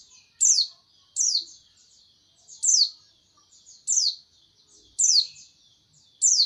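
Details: Single sharp, high, downward-sweeping notes from a white-eye, spaced roughly every second, with a quiet thin buzzy trill running between them.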